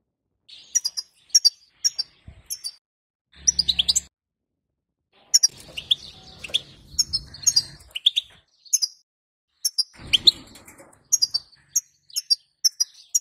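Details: European goldfinch female calls played to prompt a male to sing: short high twittering chirps and trills in quick bursts, with a couple of brief low thumps and rustles between phrases.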